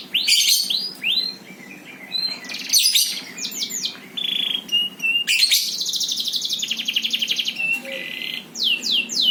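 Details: Birdsong: loud, varied high phrases of sweeping whistles, rapid buzzy trills and repeated down-slurred notes, in bursts separated by short pauses.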